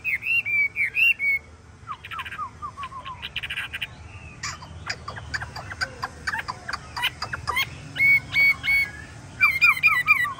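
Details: A hwamei with yellow feet, bill and plumage delivers varied whistled song: looping high notes, quick downslurred runs, scattered sharp clicks, then renewed bursts of looping whistles.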